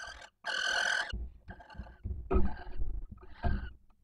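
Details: Barn owl at a nest box in Cabañeros National Park, Spain, at night during the breeding season, where the female calls intensely for the male before mating: a harsh, hissing screech over half a second, then three shorter, rougher rasps over low rumbling.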